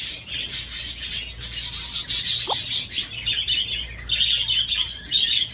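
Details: Budgerigar at play on a swing: rapid raspy chatter and clicking, then brighter, harsher squawk-like notes toward the end, over a low steady hum.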